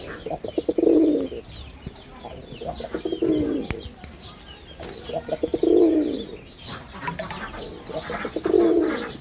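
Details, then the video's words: Low, rounded cooing from a performing male red-bordered wild pigeon, four swelling phrases spaced roughly two seconds apart, with light chirps of other birds behind. "লাল বডার বুনো কবুতরের অসাধারণ ডাক || Pigeon Sound Effect || Male Pigeon Super Performance"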